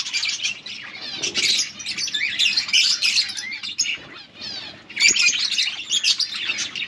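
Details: Multicoloured budgies squawk and chirp in a thick, continuous chatter of harsh high notes, loudest in two main waves.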